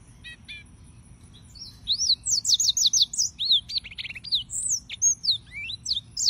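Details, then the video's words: Serinus mozambicus singing: a couple of faint ticking notes, then from about two seconds a rapid, bright series of high whistled and slurred notes, varied in pitch and closely spaced. "Suara Burung - (Serinus Mozambicus) White-tipped Green Singers Singing"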